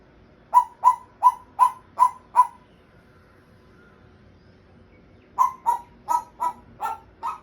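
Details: Pet African grey parrot trying to speak and making sounds: two bursts of loud, sharp, evenly spaced calls, six and then seven notes about three per second, separated by a quiet gap.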